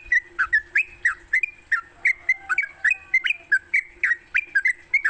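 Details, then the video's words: Sooty-headed bulbul morning lure song for training songbirds: rapid series of short, liquid whistled notes bending down and up, about three per second, over a steady high electronic whine and low hum. "Pancingan TRUCUK PAGI hari, bikin trucukanmu gacor sepanjang hari."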